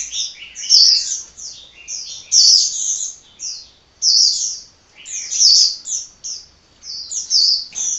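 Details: Loud, high, squeaky chirps from a hummingbird, bunched into lively phrases that repeat roughly every second or so with short breaks.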